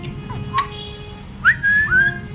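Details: Pet Congo African grey parrot whistles when its owner asks it to, and is praised afterwards. A few faint clicks and short notes come first, then a quick rising whistle and two clear, sustained whistled tones in a small room.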